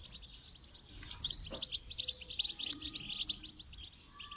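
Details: A goldfinch twitters rapidly in song training, bright chattering notes with buzzy trills and a few clear whistles, steady and busy throughout.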